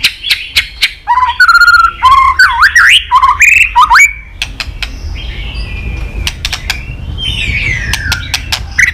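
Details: White-rumped shama song of many voices, meant to trigger fighting song: rapid jumbled phrases of buzzy and looping whistles for four seconds, then quieter ticks and a falling whistle.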